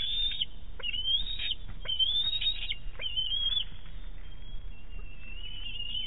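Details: Bald eagle chick at its Big Bear nest, recorded 5.7.18 around a fish delivery by the mother, giving shrill high squeals with short sharp clicks breaking in between, then a fainter drawn-out whine.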